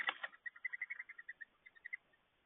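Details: Red-bellied woodpecker (Melanerpes carolinus), call.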